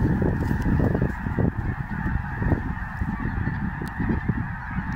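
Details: Many geese flying, giving a dense, continuous chorus of overlapping honks with a steady roar of low rushing noise throughout.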